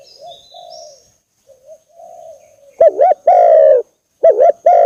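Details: Spotted dove lure call meant to anger a rival: faint, distant coos first, then loud coos. Each is a quick two-part wavering note followed by a long, steady, level coo. Faint high chirps are also heard.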